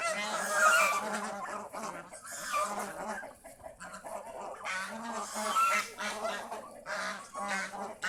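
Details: A flock of kept geese outdoors in fields by a house, honking continuously in overlapping nasal calls that swell and ease in loudness.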